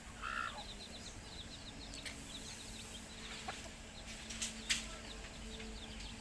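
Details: Baby chicks peep in rapid series of tiny, high, falling chirps, with a louder call at the start and a few sharp knocks near the end over low hum.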